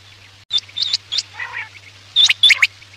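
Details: Quail call for hunting at night: a few thin high whistled notes, a soft buzzy phrase, then two quick clusters of sharp notes, with a faint steady hum.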